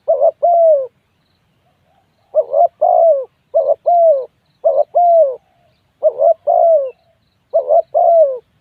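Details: Spotted dove giving around seven soft, low coo phrases, each a quick wavering note followed by a longer falling hoot, after an early pause; quiet surroundings.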